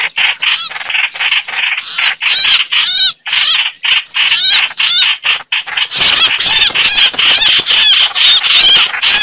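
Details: Chao chảo bird sounds played as a trapping lure: rapid harsh chatter in short bursts, overlaid with wavering high whistled notes, growing denser and continuous in the last few seconds.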